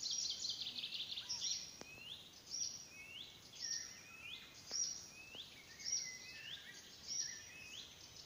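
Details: An Icterine warbler sings at Pälkäne Salmentaka on 12 June 2017: a fast, varied, high chatter broken by rising slurred whistles about once a second, over faint background hiss.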